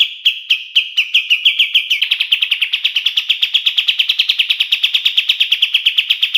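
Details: Kapas tembak bulbul, used as a master song to train songbirds: spaced sharp notes at first quicken into a fast, continuous rattling trill that holds a steady bright pitch.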